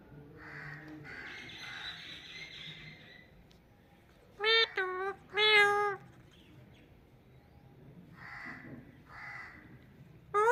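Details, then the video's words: Indian ringneck parakeet talking: short nasal, voice-like syllables in quick bursts, two loud strained phrases in the middle and softer murmured words before and after, with a faint low hum beneath. "Funny Talking Parrot"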